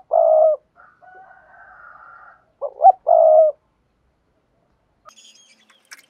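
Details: Spotted dove giving a vigorous coo for rousing decoy birds: a long low hollow note, a soft drawn-out higher tone, then a short double note and another long coo. Faint high chirps follow near the end.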